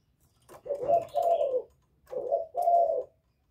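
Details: Spotted dove giving its 'giọng thổ' call to provoke rival males; two pairs of low mellow coos, each a shorter note leading into a longer, slightly falling one, in a quiet setting.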